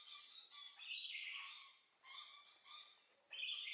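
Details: White-necklaced partridge heard up close, giving raspy, overtone-laden notes in uneven bursts about every second, some dipping then rising in pitch; the background is otherwise quiet.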